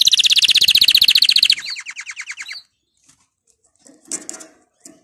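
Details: Excited male canary singing ahead of breeding: a fast, even buzzy trill of rapid repeated notes for about 1.5 seconds, then a slower trill of distinct chirps, followed by faint scattered chirps.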